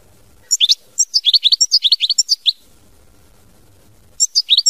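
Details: European goldfinch singing in the 'mama binette' song style: rapid high twittering phrases of short sliding notes, about two seconds of chatter, a pause, then a fresh burst beginning. Background is otherwise quiet apart from a faint low hum.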